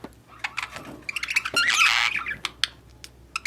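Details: Budgerigars in a mating and breeding setting chatter with rapid clicks and squeaky chirps, then a burst of scratchy warbling around the middle, with a faint low hum behind.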